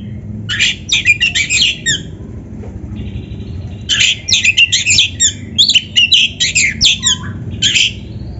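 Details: Oriental magpie-robin (kacer) in loud gacor song, played as a masteran tutor recording to train and stimulate other kacer: bursts of rich, varied whistles and harsh chattering notes, a short pause, then a longer fast run of ringing phrases.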